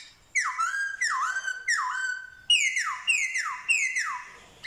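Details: Black-throated laughingthrush, a Vietnamese songbird said to imitate dogs, cats and chickens; clear whistled phrases, each a loud note sliding down then levelling off, repeated six times at an even pace.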